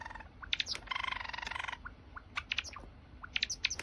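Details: Java sparrow song played to coax a reluctant bird to sing: quick chirps, a buzzy rattling trill of about a second, then scattered sharp ticking notes and falling chirps.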